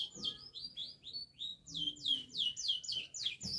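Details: Canary in vigorous song as it learns head-shaking: a string of clear, high whistled notes, each dipping downward, repeated about three times a second.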